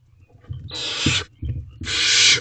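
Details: Young barn owls in a nest box at night on 5/8/23 while taking turns with a rabbit; two drawn-out, rasping hiss-screeches, the second louder and longer, over low shuffling and thumping noises.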